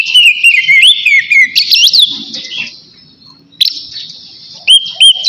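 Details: Oriental magpie-robin's ngeplong song aimed at a rival. Looping whistles and slurred notes open loudly, fade into a long quiet stretch of soft high tones, then end with two short bright whistles.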